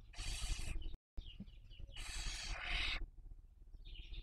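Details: Barn owl (Tyto alba) in the 2023 breeding season at a nest webcam in Cabañeros National Park, Castilla-La Mancha, Spain, while raising young: two long harsh hissing screeches with short thin chirping notes between and after them.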